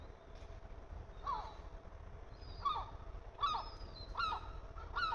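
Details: Gull chicks receiving food from a parent: sparse, fairly soft squealing notes that grow more frequent, about five cries, each falling in pitch, over a low background hum.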